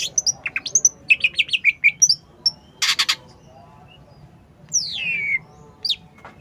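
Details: Cucak ijo giving a rapid series of short bright chirps and whistles, then a harsh broadband burst and a long sweeping downward whistle, over low background hum.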